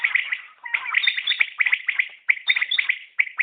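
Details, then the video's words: Batair, the common quail, gives dense, quickly repeated clipped notes that run together in overlapping triplets, about one phrase per second, with no other sounds. "Batair Ki Awaz | Common Quail Calling| Naye Batair Ki Awaz|New Recording Common Quail| Batair sounds"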